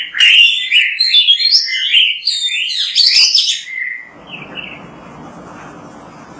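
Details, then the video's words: Oriental magpie-robin (kacer) in vigorous song: a dense burst of mixed chirps, whistles and scratchy trills lasting about four seconds, ending with a falling whistle, followed by near silence with faint background hiss. "MASTERAN BURUNG KACER GACOR BERSUARA MANTAB"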